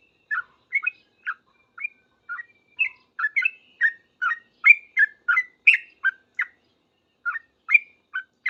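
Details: Yellow-vented bulbul singing energetically in reply to other bulbuls, in rapid 'ropel' style: a steady run of short liquid chirps, often paired high-low, with a brief gap near the end.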